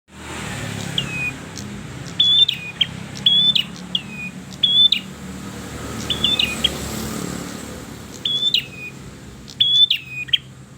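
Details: Red-headed bird singing persistently: sharp, high whistled notes that slur downward, given singly or in quick pairs and small clusters every second or so, over a steady faint hiss.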